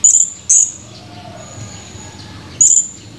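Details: Male blue-crowned hanging parrot recorded on 17 July 2020, giving vocal chirps: three short, shrill, very high chirps, two close together at the start and one after a two-second pause, over quiet background hiss.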